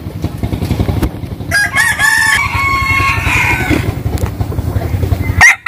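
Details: Rooster crowing in the morning at a village home: a single long crow of stacked harmonics, held and gently falling, with faint clucks and a low engine-like drone beneath, ending in a sharp thump.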